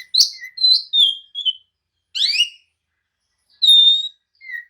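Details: Agitated oriental magpie-robin singing to provoke rivals into answering and fighting: separate clear whistled phrases, some sliding down, others sharp and rising, spaced by pauses of up to a second.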